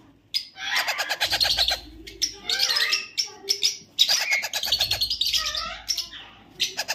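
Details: A white ring-necked parakeet chick gives harsh, raspy squawks in rapid pulsed bursts, almost without pause, rising and falling in pitch; nothing else is heard.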